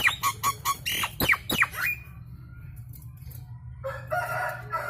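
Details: Loud Nias hill myna lure sound, used to get birds singing. Quick downward-sliding ringing notes open the clip, then a lull with faint hum, then a rough, buzzy harmonic phrase near the end.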